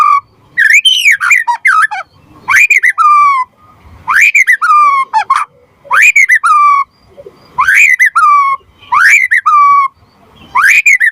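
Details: White-rumped shama song played to trigger other murai batu to sing and to tutor them: mellow whistled phrases repeated about every one and a half seconds, each rising then dropping, with rapid clicking notes between.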